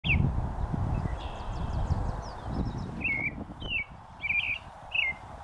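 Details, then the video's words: Leucistic North American robin singing on a post in a northern USA oak savanna: short caroling phrases of slurred, warbling notes around 2–4k, with softer high thin notes from other birds and low rumbling background noise. "A North American leucistic Robin sings on a post at a northern USA oak savanna"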